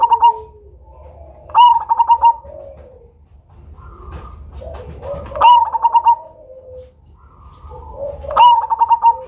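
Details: Loud Cemani zebra dove used as a lure, repeating its coo phrase three times: a sharp note followed by a quick burst of pulsed coos, with softer lower cooing between phrases.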